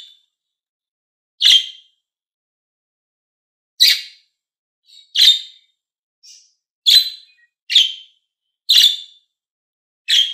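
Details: Budgies, green and blue birds, give loud shrill chirps at uneven gaps of one to two seconds, seven strong calls with a few faint soft notes between, no other sounds.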